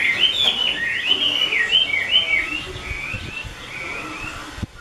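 A Chinese hwamei sings a rich, continuous run of loud whistled phrases, sliding up and down, about two to three notes each second, over faint background hum.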